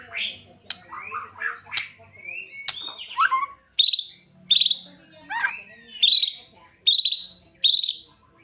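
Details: White-rumped shama song used to prompt a caged bird into singing its full repertoire; varied whistles, slurred and chattering notes, then a bright high whistled phrase repeated roughly every 0.8 seconds, over a faint low hum.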